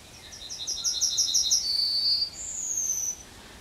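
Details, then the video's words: Song of a Yellowhammer on the edge of Kabaty forest: a fast series of sharp, high chipping notes repeated about seven times. A drawn-out lower note follows, then a long, thin higher whistle ends the phrase over a quiet background. "Trznadel śpiewa na skraju lasu Kabackiego"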